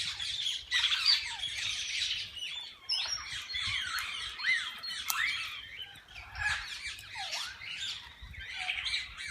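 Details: Different kinds of parakeets in a walk-in aviary at a parrot park, birds visitors can feed and hold; busy overlapping squawks and upward-sweeping chirps, loud at first, then uneven waves of chatter.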